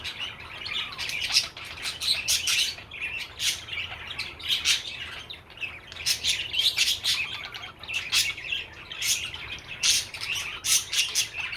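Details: A young male pet budgerigar (parakeet) playing on a rooftop chatters in quick, squeaky chirps and scratchy warbles, with bright high notes throughout.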